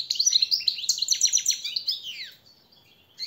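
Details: European goldfinch master song for teaching and motivating captive birds: a rapid, rolling run of high twittering notes and buzzy trills ending in a falling slur, then near silence.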